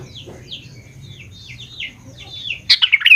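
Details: Sooty-headed bulbul in lively song, used as a lure to make young bulbuls respond: a run of quick, high, slurred whistled notes, mostly descending, then a loud burst of bubbly chattering notes at the end, over a low hum.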